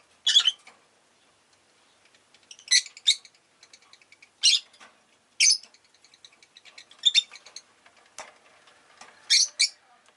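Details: Pet rosy-faced lovebirds, quite vocal on this day, repeat shrill high chirps, often in pairs, about every one to one and a half seconds. Fainter twittering runs between the chirps.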